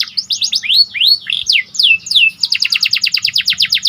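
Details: Vigorous (gacor) panda canary song meant to raise excitement: looping rising-and-falling whistled sweeps, then a rapid even trill of sharp notes for the last second and a half.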